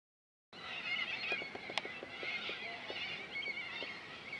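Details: Corellas at Minkie Lagoon on Coopers Creek near Innamincka, South Australia: a dense chorus of harsh, grating screeches from many birds overlapping continuously, with scattered short clicking taps underneath.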